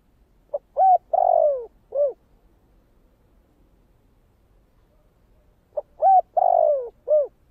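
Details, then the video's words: Cooing spotted dove of the 'giọng thổ' voice type: two phrases of mellow hoots, each a faint short note, a rising coo, a long falling coo and a final dropping note, with a long silence between. "Tiếng cu gáy giọng thổ kích bổi chuẩn mới nhất"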